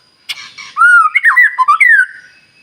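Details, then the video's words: A white-rumped shama gives a short whistled phrase of smooth slurred notes after a sharp click, part of a morning song played to draw other birds into singing. "Pancingan Murai Batu Paling Ampuh Bikin Burung Lain Meledak Bunyi"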